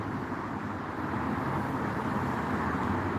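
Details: Steady broadband rumble of traffic or engine noise outdoors on a patio, with no animal calls.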